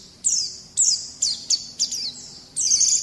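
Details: White-eye song used as a training recording for young birds: about six short bursts of high, thin notes sweeping downward, separated by brief pauses.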